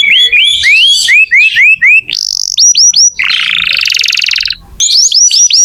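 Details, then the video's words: Vigorously singing canary, played to start young or silent canaries singing: repeated rising whistled notes in series, a high tour of looping notes, a long buzzy rattling roll, then more bright repeated whistles. "Kenari gacor untuk pancingan kenari muda atau macet bunyi"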